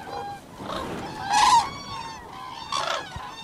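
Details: Several cranes (koonj) playing in cultivated fields trade harsh, nasal honks: a softer call, a loud ringing honk, then another near the end, with a hissing background between them.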